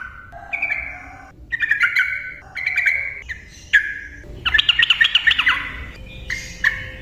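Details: Trucukan (yellow-vented bulbul) singing fluent 'ropel' song, as used to prompt silent birds: rich whistled phrases that step between pitches, then a burst of rapid bubbling notes and a final whistle.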